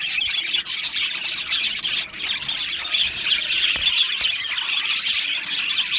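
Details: An aviary colony of budgies chattering together: a steady wall of shrill squawks, squeals and rapid chirps overlapping throughout, loud and unbroken from start to end.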